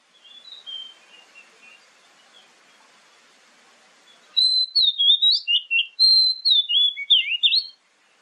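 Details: Oriental magpie-robin lure song meant to prompt other birds to reply in the morning and evening. A few quiet, distant notes come first, then a loud, rapid run of bright whistles, twisting slurs and short chirps lasting about three seconds.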